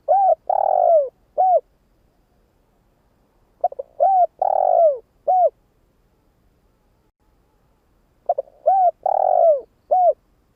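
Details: Spotted dove decoy bird cooing to stimulate newly caught doves: three phrases about four seconds apart, each a quick soft double note, a mellow coo, a long throaty descending coo, then a short closing coo; quiet background.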